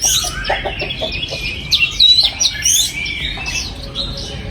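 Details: Oriental magpie-robin in a breeding aviary, 2022: quick chirps and trilled twittering notes with a few sharp whistled accents at about two seconds, softer chattering continuing to the end.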